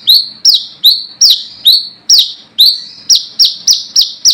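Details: Wild-type brown-throated sunbird calling rivals, used as a lure: sharp high notes that drop then sweep upward, repeated about twice a second in a steady run with short gaps.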